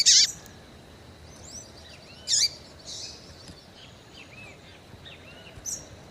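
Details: Calling female Double-collared Seedeater, in breeding condition, used to stimulate males: a few loud, harsh high chips spread over six seconds, one with a swooping tail, amid softer, looping whistles of other birds in the background.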